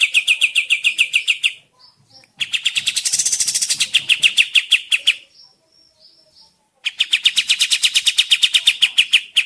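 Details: Sooty-headed bulbul lure recording meant to make birds answer and sing: fast bursts of sharp, evenly repeated chirps about two seconds long, a short buzzy rush in the middle, quiet pauses between bursts.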